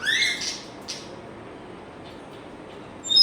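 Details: Pet African grey parrot giving a harsh, buzzy squawk at the start, then near silence, ending with a sharp high-pitched electronic-like beep imitation.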